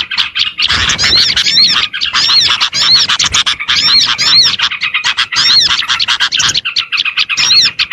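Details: Lure recording meant to draw in small birds: rapid, high-pitched chattering chirps in tight bursts, separated by short gaps roughly every second, many voices overlapping.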